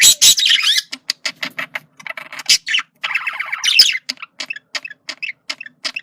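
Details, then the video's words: Male budgerigar chattering to communicate: a loud squawk opens a stream of quick clicks and warbles, a longer warbling phrase, then spaced sharp chirps. "sonido de comunicación de periquito macho"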